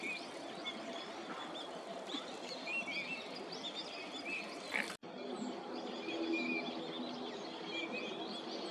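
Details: Eurasian teal in winter at a park in Tokyo, Japan, January, calling during courtship display for pair formation: short high whistled notes scattered through a steady background hiss of outdoor noise.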